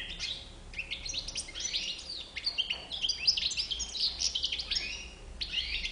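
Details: White-chinned European goldfinch delivering a busy, liquid twitter of high chirps and quick slurred notes, almost continuous with a few short gaps, over a faint steady hum.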